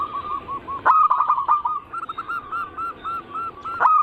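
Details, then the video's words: Perkutut (zebra dove) lure song to stir other doves into singing, local, Bangkok and crossing types: soft coo series, loud burst, then evenly spaced arched notes ending in another burst. "Pancingan burung perkutut paling ampuh penarik Bunyi semua jenis burung perkutut Anggungan"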